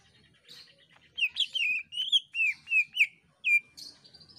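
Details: Gacor scream of the cucak ijo, the greater green leafbird, meant to get other birds singing: a varied chain of warbled, slurred whistles, ending in a short high note.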